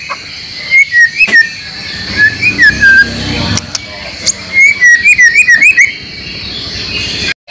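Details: Murai batu (White-rumped shama) training song for caged birds; two groups of quick, bouncy whistled notes rising and dipping, separated by a quieter gap with low noise.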